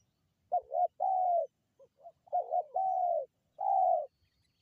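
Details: Spotted dove call used to lure wild birds: mellow, throaty coos in phrases, a short hiccuping note followed by a long drawn-out coo, repeated three times in clean, quiet surroundings.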